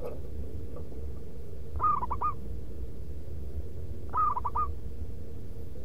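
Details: Local zebra dove used as a lure bird, giving its loud rhythmic cooing song: two short phrases of quick, bouncing coos about two seconds apart, over a steady low hum and background rumble.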